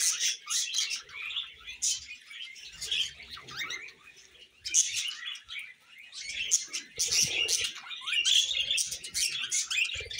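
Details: Pet budgerigars chattering in high scratchy warbles and chirps, fading to a quieter stretch midway before loud twittering returns.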